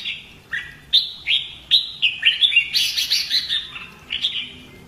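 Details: Caged red-whiskered bulbul in fighting-song training, giving a run of clear rising whistled notes that speed into a dense, harsher burst before a final short phrase.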